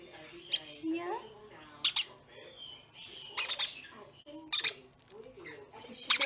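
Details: A baby caique being hand-fed, resting against a warm cloth, gives harsh, raspy squawks in short bursts about every one to one and a half seconds, while a person talks softly throughout.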